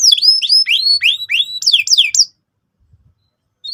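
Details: Lively canary singing as bait to make another bird sing. Quick whistled notes curve up and down, then several falling sweeps follow. After about two seconds the bird stops, and one faint note returns at the end.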